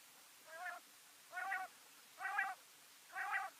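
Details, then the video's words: A male quail gives four nasal, slightly wavering notes, each about a third of a second long and a little under a second apart, over a quiet background. "SOUNDS OF MALE QUAIL"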